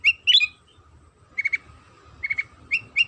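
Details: Sooty-headed bulbul lure song, played so other bulbuls will sing: a quick burst of rising chirps, then short triplets and single bright notes after a pause.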